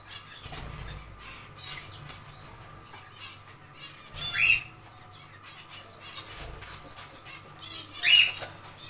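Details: Zebra finches in a small aviary during nest building, giving two short nasal, harmonic call notes about four seconds apart over steady rustling and wing flutter.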